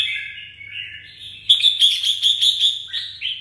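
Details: Red-whiskered bulbul, a caged songbird from Đồng Nai, Vietnam: a soft sliding warble builds into a loud run of rapid bright notes, ending in a rising slur, with low background hum.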